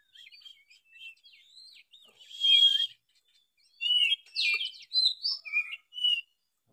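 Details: Oriental magpie-robin in gacor song, used to set other magpie-robins singing: quieter sweet warbling with wavering whistled phrases, one buzzy burst, then clear rising and falling whistles.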